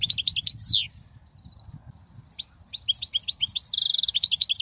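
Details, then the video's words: European goldfinch song meant to teach young goldfinches: sparkling high chirps and a downward-sliding whistle, a brief lull, then quick tinkling notes and a dense buzzy trill. "تغريد الحسون"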